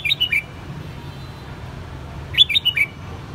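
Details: A pet red-whiskered bulbul, raised from a white-cheeked juvenile, gives two quick phrases of four or five bright, slightly descending whistled notes about two seconds apart over a low background hum; finding: Red-whiskered bulbul.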